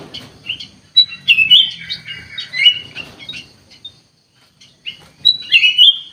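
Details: Black-capped bulbul in vigorous 'gacor' song, giving clear fluty whistles and warbled phrases in two lively bursts with a short pause between, ending on a rising, slurred flourish.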